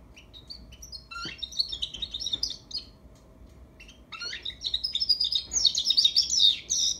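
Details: European goldfinch fledgling learning to sing, starting with a quiet moment, then scattered sharp chirps followed by a swelling run of liquid, twittering notes that grows louder and busier toward the end.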